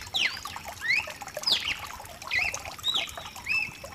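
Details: Mutation cardinal song for warming up a cardinal: clear whistled notes swooping up and down, plus short level whistles, roughly every half second, with rain falling in the background.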